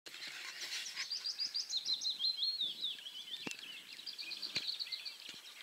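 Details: Citrine wagtail in northeastern Poland (53.37N, 22.56E) giving a steady stream of high, thin chirps and twittering notes, several per second, with a couple of sharp clicks.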